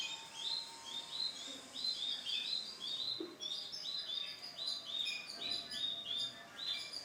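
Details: Male canary with bright lemon plumage singing a continuous run of short, high, arched whistled notes, repeated rapidly and fairly evenly, with a faint background hiss.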